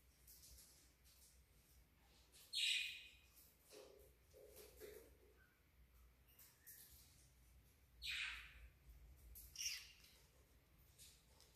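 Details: Cockatiels competing for affection give sharp, harsh chirps and squawks at irregular intervals, with softer chatter between.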